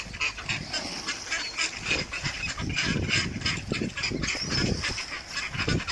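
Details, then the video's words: Dense, loud chattering from a group of ducks: rapid, irregular nasal calls packed closely together. "Ducks with Natural Sound."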